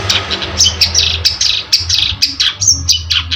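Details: Long-tailed shrike (cendet) singing actively, used as a lure sound: a dense run of sharp, high chirps and short scratchy notes about twice a second, with a low hum underneath.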